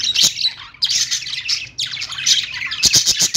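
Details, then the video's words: Budgerigars calling in the morning: three dense bursts of harsh, buzzy chatter and squeaky chirps, each breaking off abruptly, the last ending in rapid clicking notes. "budgie birds morning sounds"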